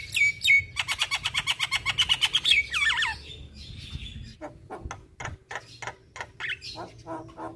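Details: A Javan myna delivers a fast rattling series of evenly spaced buzzy notes, then sliding whistles, followed by scattered sharp clicks and squawks.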